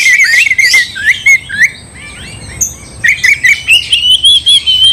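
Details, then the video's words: Kacer, oriental magpie-robin, singing to incite a fight: fast burst of rising whistled slurs, a near-silent pause of about a second, then a long loud run of quick trilled whistles. "gak mungkin gak nyaut Kacer gacor bikin kacer ngamuk"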